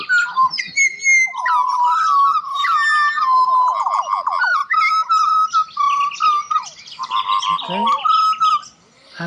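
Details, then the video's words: Several butcherbirds singing together: rich, fluting whistles and warbled phrases overlapping, with rapid repeated notes and a brief person's voice near the end. "Butcher Birds Singing / Pajaros Cantores"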